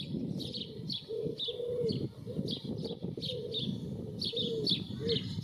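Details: Common starling singing during courtship display: a jumble of high chirps, squeaks and short whistles, with low, rolling cooing phrases repeating underneath.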